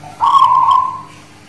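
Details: Singing Zebra dove (manggung) of the local Guling Murio strain, Muria mountains, Kudus, Indonesia: a single clear, drawn-out cooing note with a slight wavering tail, over quiet low hum.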